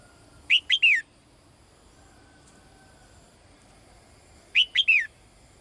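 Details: Female bird calling the male, repeating a quick three-note phrase of falling, whistled slurs twice, about four seconds apart, over faint steady hiss.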